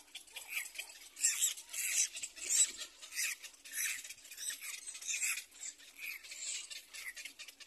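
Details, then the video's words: Little black cormorant chicks at the nest, competing for their mother's food: rapid, scratchy, high squeaky bursts rising and falling in loudness, roughly once every second, with rustling between calls. "Little black cormorant Baby Birds compete for mother's food"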